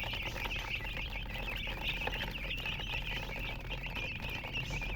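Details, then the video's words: Short run of busy chicken chirping from colour chickens: rapid, high, wavering peeps pile over one another nonstop above a low room rumble. "silly chicken chirping sounds with murgi hen color chicken"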